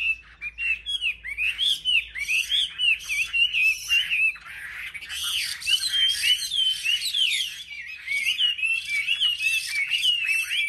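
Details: Competitive song of caged Chinese hwamei among selected birds at a market rack: bursts of bright, varied whistles and quick trills, swooping up and down, with short pauses between phrase clusters.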